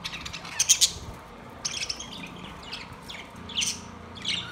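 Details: Budgerigars kept in a cage, September 2, 2023: separate bursts of high, raspy chirps and short squeaky warbles with quiet gaps between them, and a faint low hum.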